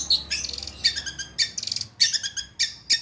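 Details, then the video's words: A long-tailed shrike sings high, scratchy chirps and harsh squeaky notes in quick bursts, with a new phrase about every half second and short gaps between. "Suara PENTET buat mancing burung penten macet"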